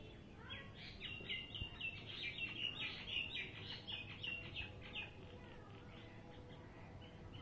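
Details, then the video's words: Common myna, also called Indian myna or shalik: a run of quick, squeaky chirps and chattering notes, several per second for about five seconds, then tailing off, over a steady low background rumble. "Common myna"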